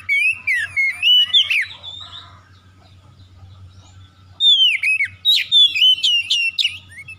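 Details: Oriental magpie-robin song used as a lure to make other magpie-robins sing: varied, loud whistled phrases with sliding, rising and falling notes and sharp chips, a quiet pause, then more rapid whistles.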